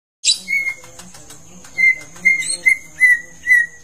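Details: Long-tailed white-rumped shama song used as a lure to stimulate another bird into full song: clear whistled notes repeated about every half second, over a steady high ringing tone and a low hum.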